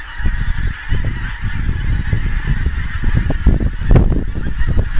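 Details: Scottish wild geese, a vast flock gradually approaching from the distance; crowded honking swells toward the end, the individual calls short and overlapping above a low rumbling background.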